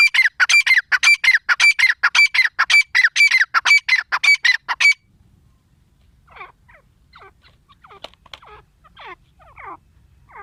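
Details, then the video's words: Female grey francolin (teetar) delivering a long run of loud, evenly spaced, ringing notes for about five seconds, followed by quieter, scattered calls further off. "Teetar awaz l teetar voice l female teetar sound gray francolin"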